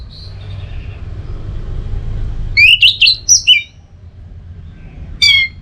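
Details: Orange-headed thrush song, a training and prompting recording for the teler style. Loud rising whistles and chirps come in a short cluster, then a pause, then a final pair of sharp upslurred notes over low background hum.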